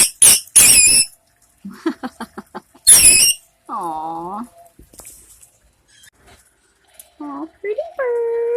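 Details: A lost cockatiel, an escaped bird caught by animal control at a school and now being fostered, gives three loud, harsh, grating parrot screams in the first few seconds, between stretches of a person talking in a high, playful voice.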